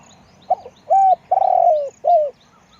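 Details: Cooing of a spotted dove: clipped opening note, then three mellow coos, the middle one long, slightly rolling and falling in pitch.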